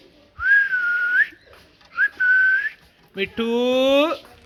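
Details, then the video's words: Two long, even whistles from a parrot, each ending in an upward flick, then a harsh, buzzy, voice-like squawk rich in overtones. "Parrot Talking"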